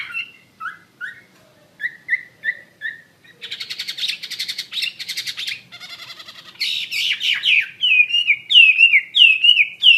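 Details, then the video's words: Singing Chinese hwamei, persistent 'gacor' type: spaced paired whistled notes, then a buzzy, grating stretch, then a rush of loud looping whistles repeated at a quick, steady beat. "SUARA KICAU BURUNG HWAMEI WAMBI GACOR"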